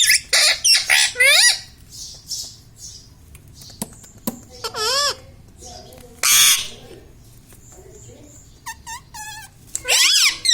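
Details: Pet green ringneck parrot talking at home: loud squawky bursts with swooping harmonic sweeps, scattered across the clip, plus a few clipped repeated squeaks and clicks in a quiet room.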